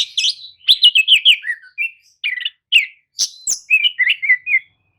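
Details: Oriental magpie-robin lure song used to rouse listless birds into replying: rapid chains of clear descending whistles mixed with sharp metallic chips, delivered in quick runs with short pauses and no background noise.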